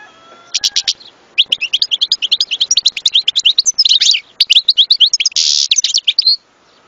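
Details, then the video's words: European goldfinch in full song: a long, fast, liquid twitter of varied high chirps and trills lasting about five seconds, including a brief buzzy rasp near the end. "صوت حسون لن تنساه طوال عمرك"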